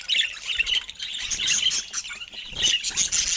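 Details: Budgerigars in busy, lively chatter, a stream of bright chirps, clicks and squeaky warbles packed closely together, rising and falling in loudness.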